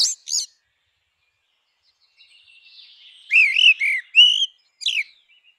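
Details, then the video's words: Grey-winged blackbird singing: two brief high notes, a pause, then a fluting phrase of warbled, wavering whistles in quick succession, ending with a sharp descending note, against silence. "Canção do melro com asas cinzentas! Som de melro com asas cinzentas!"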